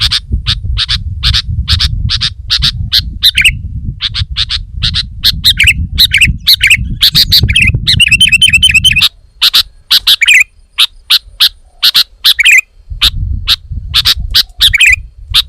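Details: Long burst of sooty-headed bulbul song: many quick, clicky chirps and repeated gurgling downslurred warbles, with one rapid buzzy trill partway through. A low rumble stops midway, leaving the singing clearer.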